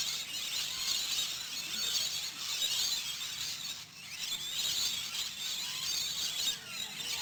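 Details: Wild rainbow lorikeet flocks being fed in the afternoon at a Queensland campground, with bush stone-curlews joining in: a dense, continuous wash of shrill, high squealing and screeching from many birds.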